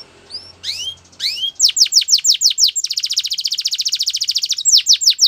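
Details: Belgian canary singing: a few scattered high chirps, then a run of sharp descending whistled notes, then a rapid even trill of many quick notes, then more falling notes.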